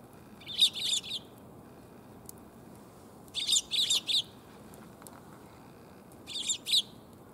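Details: Several Eurasian tree sparrows gathering to be fed on 1 January 2022, on the way home: three bursts of rapid, bright, overlapping chirps, each burst lasting about a second, separated by quieter gaps with a low hiss.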